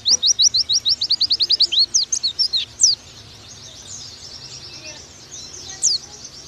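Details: Oriental white-eye song in the nembak style, used as a master recording for training birds: a rapid burst of about a dozen high, thin, upslurred chirps in two seconds, then jumbled twittering, near silence, and one final high note over faint hum.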